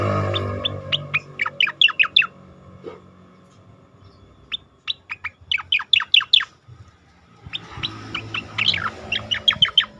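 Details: Asian pied starling song recorded to train competition birds: three bursts of rapid down-slurred whistled notes separated by short pauses, each run fast and crisp.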